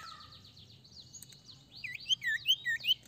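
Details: Ashy tailorbird (sirtu) song for luring other birds: quiet high twittering at first, then four loud, sharp looping whistles spaced roughly every half second.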